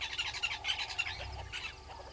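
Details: Southern red-billed hornbill below the waterhole cam at Gowrie dam, Djuma Game Reserve, Sabi Sand, South Africa, 03/02/2022, gives quick clucking chirpy notes about four a second, then a looser run of calls; faint outdoor background.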